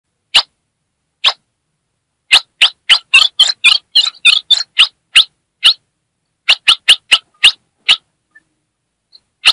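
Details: Female ultramarine grosbeak from Brazil's Northeast calling and chattering to excite a male: sharp, harsh chip notes, first spaced, then a fast buzzy run of about a dozen, then more single chips with pauses, no other sounds.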